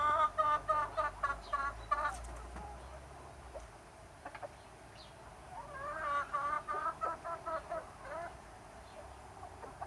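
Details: Chickens and roosters enjoying summer: two bursts of loud, evenly spaced harmonic clucks, about three a second, separated by a quieter stretch with a few scattered clucks and a brief high chirp.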